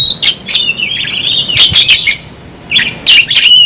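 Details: Oriental magpie-robin in a fighting display with its tail spread, giving a few separated phrases: a long wavering whistle, scratchy notes, a pause, then more whistled bursts.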